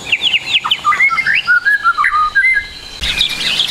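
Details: White-rumped shama song from a training recording for young trotol shamas. Fast falling whistles, then a sequence of clear, short, mellow whistled notes at a steady pace, ending in a busy, higher chatter.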